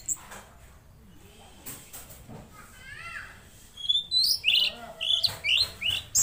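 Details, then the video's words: Mangrove blue flycatcher song after faint soft notes: a burst of quick, high, sliding whistles and chips repeated about three times a second, loud and lively. "Masteran Burung Tledekan Laut Gacor"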